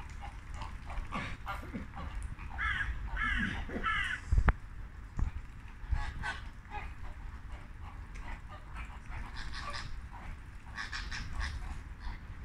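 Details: A flock of flamingos calling on a late Thursday afternoon: a dense burst of overlapping goose-like honks and chatter, fading and then rising again near the end, with a couple of sharp knocks partway through.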